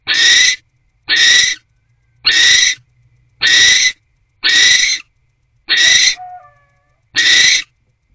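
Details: At night in nest box C, a barn owl screeches as a male delivers a small rodent and the pair mates, 20 January 2024; seven even, harsh hissing screams nearly a second apart, one faint whine.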